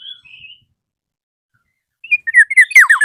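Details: Black-naped oriole calling a rival: a soft wavering whistle, a pause, then a loud accelerating run of slurred notes falling steeply in pitch.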